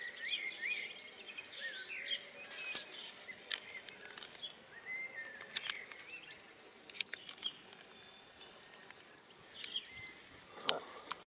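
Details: A European goldfinch in a garden gives soft, tinkling twitters and quick rising notes, busiest in the first few seconds; a few sharp clicks break the quiet outdoor background.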